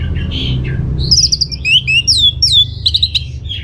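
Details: Orange-headed thrush in full song, played to make other birds reply: a soft warbled start, then a rapid string of high whistled slurs, rising and falling notes and short trills.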